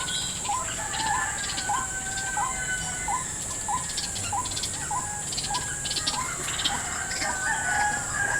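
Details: White-breasted waterhen in a salak orchard during lure trapping. Repeated short curling notes come at an irregular pace, joined by intermittent insect chirping bursts and a persistent high-pitched drone.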